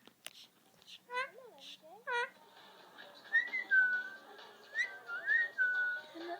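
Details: A male Indian ringneck parakeet, talking to himself, utters a few short, nasal speech-like syllables, then a run of clear whistles that rise and slide, all in a quiet room.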